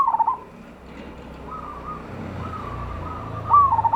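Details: Local zebra dove singing in a loud voice, a lure meant to make other doves sing. Short rippling cooing bursts open and close the clip, with softer trilled coos between, over a steady background hiss.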